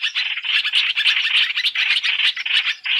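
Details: Black-throated laughingthrush, three-in-one trapping lure: short, choppy bursts of hoarse chatter, roughly three pulses a second, in a quick uneven rhythm.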